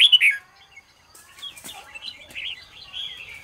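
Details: Red-whiskered bulbul in morning song, used to push other bulbuls to sing: an opening pair of loud, downslurred whistles, then quiet gaps and a soft, rambling warble of short notes.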